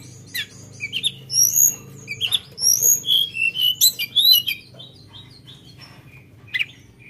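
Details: Sunda bush warbler in lively song, sharp fill-in phrasing: a rapid run of loud high whistled notes and slurs about twice a second, then quieter with one last sharp note.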